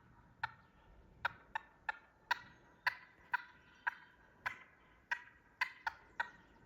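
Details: Wild turkey gobbler that stayed by a companion just shot during a morning hunt, jumping around and agitated in the woods, gives a dozen short, sharp clucks at irregular half-second to one-second intervals in a quiet background.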